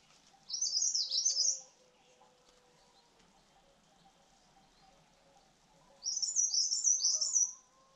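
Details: White-tailed robin song: two short phrases of high, sweet, slurred warbling, each lasting about a second, the first near the start and the second after a pause of about five seconds, in a quiet setting.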